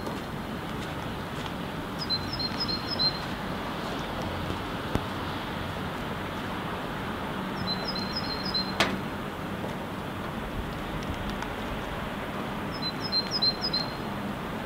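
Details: Great tit singing a monotonous song variant in the background during sleet, Helsinki, Finland, February 2016: three short bursts of thin, high, rapidly repeated two-note phrases several seconds apart over a steady hiss of falling sleet.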